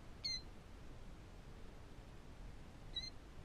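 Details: Newly hatched killdeer chicks in a nest with one unhatched egg give two brief, thin, high peeps about three seconds apart over a low background hum, one morning in northern Michigan.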